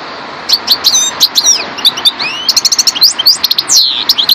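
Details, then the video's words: European goldfinch of the subspecies parva singing: a lively, rambling twitter of quick chirps, sharp ticks and slurred rising and falling whistles, with a steady low background hiss. "chardonneret parva"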